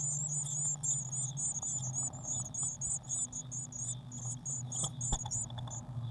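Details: Rapid, very high-pitched chattering from Eurasian blue tits at a nest box, 19 May 2019, during feeding with waxworms; the thin calls repeat several times a second over a steady low hum, with occasional soft knocks.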